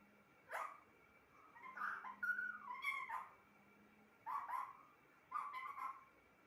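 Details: Talking pet parrot voicing short speech-like phrases, some with rising whistled inflections, in bursts roughly a second apart, with a faint low hum in the background.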